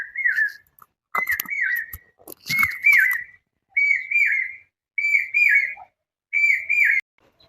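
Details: Indian cuckoo calling beside a village pond in Memari, Purba Bardhaman, West Bengal, giving a mellow, whistled phrase of several notes, repeated six times at short intervals; rustling noise covers the first few seconds.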